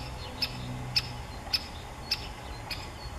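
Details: Five crisp, evenly spaced 'kik' calls of a great spotted woodpecker, a little over half a second apart, with a faint hum and low rumble underneath.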